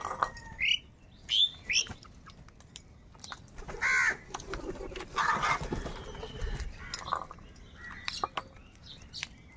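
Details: Angry crows in a huge flock squabbling over food: separate harsh, hoarse caws every second or two, some nasal and drawn out, over a background of faint chirping birds.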